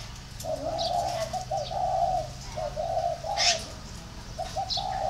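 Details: Repeated low cooing of a spotted dove, with rounded, droning notes in broken runs and short gaps. One sharp high chirp from another bird cuts in near the end of the sequence.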